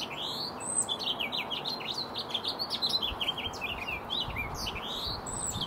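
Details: A male House Finch courts a female with song and dance in a backyard in the Sierra foothills, California, on 10 April in spring. He sings a long, lively warble of quick, varied chirps and slurred notes without pause, over soft hiss.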